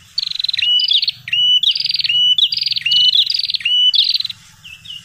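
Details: Excited chatter of a prinia called prenjak kepala merah, played to lure birds: about five buzzy trill phrases, each ending in a bright rising whistle, followed by softer short notes at the end.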